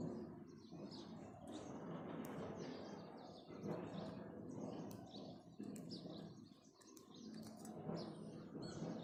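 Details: Morning chirping of house sparrows: many quick high tweets at an uneven pace, seemingly from several birds, over a steady murmur of low environmental noise.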